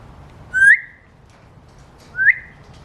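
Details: An African grey parrot imitating bird sounds gives two short whistles about one and a half seconds apart. Each note sweeps upward and then trails off, with a quiet room behind.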